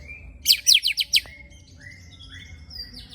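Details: White-rumped shama shot and rattle phrase: five loud, rapid, sharply descending buzzy notes, then soft thin whistles fading into quieter slurs.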